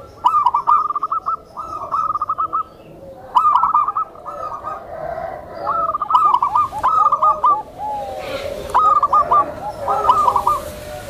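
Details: Tame zebra dove with soft calls, used to coax other zebra doves to respond and to train new birds. Over about eleven seconds it gives repeated short phrases of rapid, high, clipped coos, with softer lower cooing between them.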